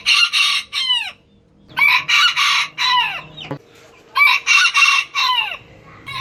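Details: Rooster crowing twice, each crow three loud rough bursts ending in a downward slurred note, with a quiet hum in the background.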